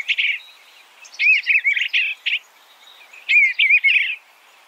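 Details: Eastern bluebird uttering gentle, burry warbles in three short groups, notes tumbling and slurring within a narrow mid-high band against near silence.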